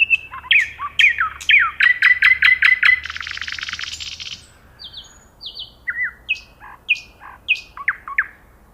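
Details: Common nightingale singing: rapid repeated piping notes around a steady pitch, then a dry buzzy rattle, followed by scattered high whistled phrases and sharp downslurred notes after a pause.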